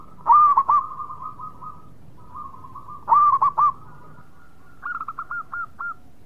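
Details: Actively singing local zebra dove: three phrases, each a loud hooked coo followed by a trailing buzzy roll of quick notes, the last phrase slightly higher with evenly spaced short notes.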